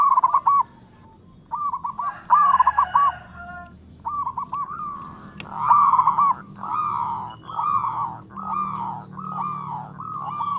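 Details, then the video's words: Local perkutut, or zebra dove, calling all around: short stuttered phrases, then a run of loud, evenly spaced, slurred coos about once per second, with fainter echoing dove calls in the background. "Perkutut Lokal gacor suara merdu memanggil Keseluruh Arah"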